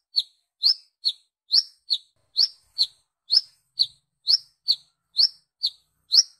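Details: Wiceh calls of a brown-throated sunbird, a lure for calling in other sunbirds: bright sharp chirps in quick pairs, each rising note answered by a slightly lower short one, continuing steadily with no background.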